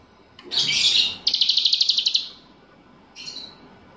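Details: Grey-bellied bulbul in vigorous song including cicilin phrases: a loud buzzy high burst, then a quick series of about ten clipped high notes, a pause and a short final buzz.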